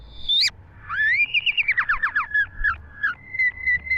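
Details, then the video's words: A green leafbird in energetic full song, 2023: a high sweeping whistle, then a fast cascade of descending slurred notes, ending in steady repeated whistles at an even pitch, over a soft low hum. "burung cucak IJO GACOR FULL ISI"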